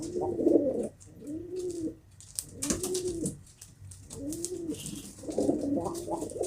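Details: Repeated low, rolling pigeon coos in rounded phrases about a second apart, with a sharp clatter in the middle and soft rustles.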